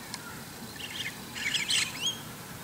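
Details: A white-cheeked starling singing in the morning on top of an antenna gives a brief run of grating, squeaky chatter mixed with a couple of thin rising whistles, all high-pitched, over a quiet background.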